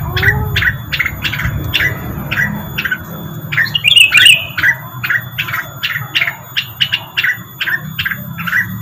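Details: Rengganis bird lure song, steady series of brief sharp chirps repeated about every half second, with one louder harsher burst midway over a low rumbling background.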